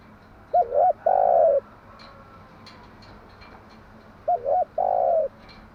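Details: Morning spotted dove song, a hen's lure call for training decoy doves: a quick double coo then a long steady coo, the same phrase given twice about four seconds apart.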